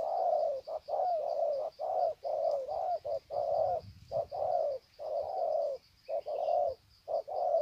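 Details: Spotted doves calling in the wild at Sê San, 21 February 2020, exchanging greetings in long coo sequences: dense, mellow mid-pitched coos, short notes alternating with longer wavering ones, almost continuous, over a constant thin high insect whine.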